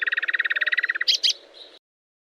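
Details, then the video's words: Common nightingale song, part of a phrase set for teaching canaries: a rapid even rattle of about twenty clipped notes lasting one second, then two sharp higher notes and a faint fading tail. "لغة عندليب الواحة لتلقين الكناري والطيور المغردة #٣ - Nightingale singing to teach Canary #3"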